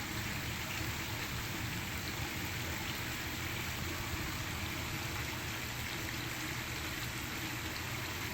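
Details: Constant broadband rush of a waterfall fills the whole recording, steady and unbroken, with no distinct animal calls standing out.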